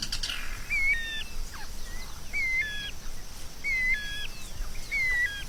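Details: White-rumped shama song, used as a tutor recording for training songbirds: clear whistled phrases, each a short level note that drops then rises, repeated four times about every 1.3 seconds over faint steady background hiss.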